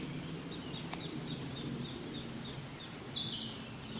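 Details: Japanese pygmy woodpecker giving a seldom-heard call on 21 May 2016, with a second bird nearby calling the same way, recorded on a Canon PowerShot SX60 HS with external mic; about eight thin, high squeaky notes in quick succession, then one buzzy, harsher note.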